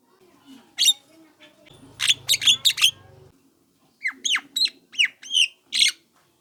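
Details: Lure recording of a young Javan myna meant to draw replies from other mynas: scattered squawks, a fast burst of harsh notes over a low hum, then a series of sharp downslurred rasping calls.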